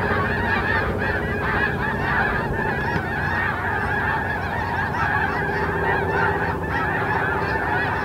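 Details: Snow geese gathered on Terranova marsh, Richmond, British Columbia, on 14 March 2019: a thick, continuous wall of honking from many birds, slightly softer and more blended, with a steady low rumble beneath.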